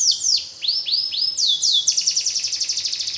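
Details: Canary singing: a few downward-sweeping whistled slurs, then a fast, even trill of short notes repeated about four times a second, all high-pitched and clear.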